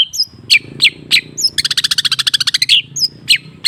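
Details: Long-tailed shrike (cendet) in a recording used to coax a silent bird into song: sharp downslurred notes and thin high whistles, broken by a fast, evenly pulsed buzzy rattle of about twenty beats lasting just over a second.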